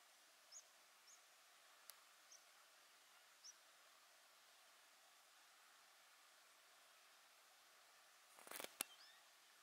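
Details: White wagtail (Motacilla alba) at Lake Cerknica, Slovenia, on 10 October 2023, giving four faint, high, short calls about a second apart, then a couple of sharp clicks over quiet background hiss.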